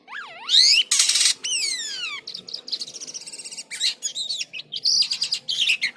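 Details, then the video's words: Jalak kapas starling singing vigorously, an unusual song: looping whistles that swoop down and up, a loud harsh burst, falling slurred whistles, then rapid clipped chattering notes and short whistled phrases. "SUARA ANEH BURUNG JALAK KAPAS GACOR"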